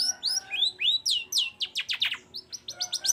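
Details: Long-tailed shrike in lively song, meant to stir other shrikes to sing: varied whistled notes curving up and down, followed by a rapid cascade of sharp descending slurs and thin high chips.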